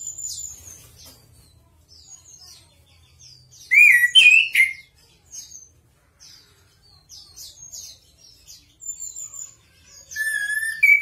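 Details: Anis kembang, the chestnut-capped thrush, in song used for tutoring captive birds: thin high twitters throughout, broken by a loud rich whistled phrase near four seconds and a clear level whistle at the end.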